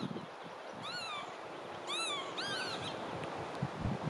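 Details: Marsh sandpiper giving a few plaintive, down-curving whistled notes: one alone, then a quick pair, with low rumbling background noise throughout.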